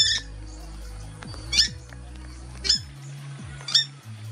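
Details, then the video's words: Warning calls from a Purple Swamphen family alerting their teen chicks to a Red-bellied Black Snake, Australia, 10 March 2021: a faint opening note, then three harsh, high squawks about a second apart, over background music. "Watch the snake getting worked out by the family of a Purple Swamphens alarming its teen chicks about the predator."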